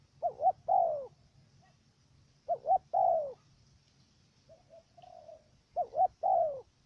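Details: Decoy dove used for trapping wild doves in Cà Mau, Vietnam, giving a stuttering coo on the first note: two quick wavering notes then a long falling coo, repeated three times at about 2.7-second intervals, with softer coos from another dove between.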